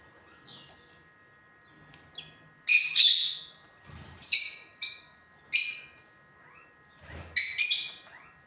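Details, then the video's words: Lutino lovebirds kept as pets calling with loud, harsh, high-pitched chirps in short bursts, five main outbursts spread over several seconds with softer faint twitters between them. "lutino love birds"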